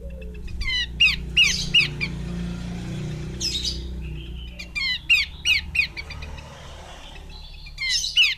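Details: Series of sharp chirps from a female Horsfield's babbler, in short runs of three or four notes, over a steady low rumbling background noise.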